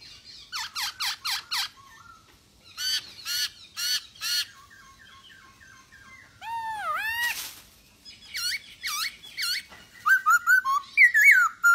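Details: Energetic masked laughingthrush song used to spur other birds to sing: repeated sharp falling notes in groups, two deep swooping whistles with a harsh burst, then quick varied whistled chatter.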